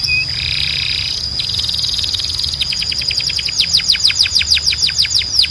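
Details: Belgian canary singing: a steady high whistled tone under fast buzzy rattles, then a rapid trill of sharply falling notes, several per second, growing louder toward the end, over a faint low hum.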